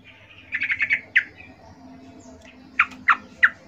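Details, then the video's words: Female yellow-vented bulbul calling for males, used as lure: a short burst of quick chattered notes, a sharp single note, then three spaced sharp calls about a third of a second apart. "Trucuk BETINA Memanggil Jantan RIBUT"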